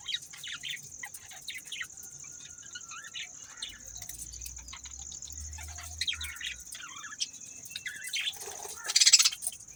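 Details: Softer budgerigar twittering: scattered short chirps and warbled notes, a low hum in the middle, then a louder rasping burst near the end.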